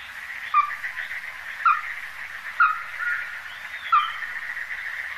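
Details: Ruddy-breasted crake of the Taiwan endemic subspecies, recorded at the Donggang River, Taiwan, 14 December 2023. Four abrupt, slightly downslurred notes spaced roughly a second apart sound against a constant droning background.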